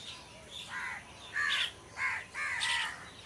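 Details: Tree-dwelling crows producing four clear, raspy caws in a little over three seconds, each a short drawn-out harsh note, with faint high chirping in between.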